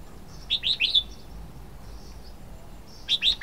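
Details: A bright, lilting Red-whiskered bulbul phrase of three or four warbled notes, followed after a short pause by the start of another phrase; quiet background.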